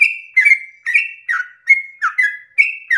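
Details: Yellow-vented bulbul singing its long 'ropel' song at dawn to provoke other birds of its kind: short, rich, slurred whistles run together in pairs, bright and bubbly, about three phrases per second.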